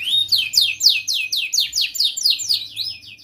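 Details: Tutor recording of a young canary: a fast, even series of loud sweeping downslurred whistles, about four per second, continuing steadily throughout in a clean indoor recording.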